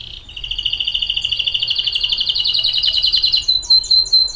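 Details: Pet canary singing a long, rapid, buzzy trill of repeated notes held at one pitch for about three seconds, then breaking into sharper separate chirps; quiet room background.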